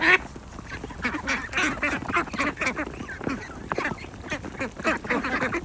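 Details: Several ducks, with ducklings around, at Agidel, farm setting: choppy, raspy quacks in rapid uneven bursts from many birds, rising and falling in loudness throughout.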